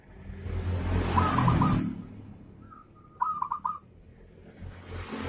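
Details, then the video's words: Zebra dove giving kerot-style song intended to set other doves singing; a rapid run of clipped coos partly masked by loud rushing noise, then a drawn note and a clearer burst of four quick coos. "SUARA MEMANCING PERKUTUT IKUT GACOR || PERKUTUT KEROT NGAYER"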